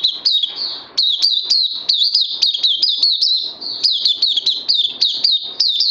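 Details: Oriental white-eye held in a cage, fed supplements, produces an energetic series of high, rapidly repeated twittering chirps with a brief quieter gap midway.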